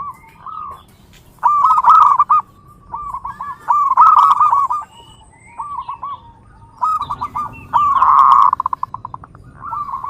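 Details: Repeated rapid coo phrases of a zebra dove, short bubbling note strings recurring every second or so, one ending in a fast rattling burst, over a low hum.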